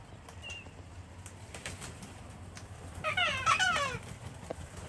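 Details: Wild cockatoos from a flock being hand-fed on a home deck in Australia on a cold, wet winter Sunday; after quiet background, one harsh, raspy, descending squawk bursts out near the end.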